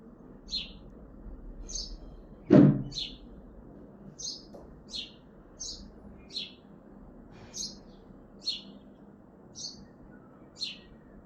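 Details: House sparrow chirping on a balcony in Hazaribagh, India, in the morning: short bright chirps repeated roughly every second over a low background hum, with one loud thump near the middle.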